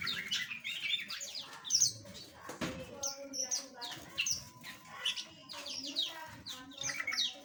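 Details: Small captive aviary birds chatter steadily with rapid high chirps and short trills, a brief rustle or flutter midway, all over a low murmuring background.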